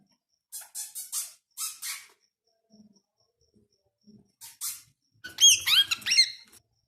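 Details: Female parrot placed for the first time in a male parrot's cage: several harsh, raspy squawks, then a quick run of whistled, rising and falling calls near the end, in a quiet indoor setting.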